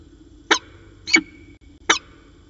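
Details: Three well-spaced, hoarse, clipped notes, one roughly every seven-tenths of a second, from a peregrine falcon pair talking through the afternoon at Orange on 13 January 2019.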